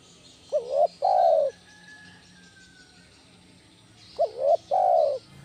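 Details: Spotted dove, 'kuk 1' style lure recording for training other doves: two deep coo phrases about three and a half seconds apart, each a short bent note and a longer falling coo, with a thin faint whistle between.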